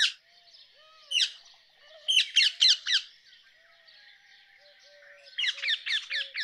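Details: Rose-ringed parakeet calls: harsh, loud, grating screeches, one at the start, a single note, then a quick run of four, and a rapid series of five near the end. Soft, faint low whistles sound in the background between them.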